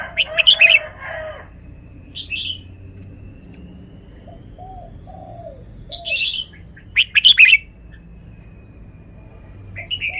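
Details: Caged red-whiskered bulbul showing off its song phrases: short bursts of bright warbled notes separated by pauses, with a few lower liquid notes between them and a steady faint hum in the background.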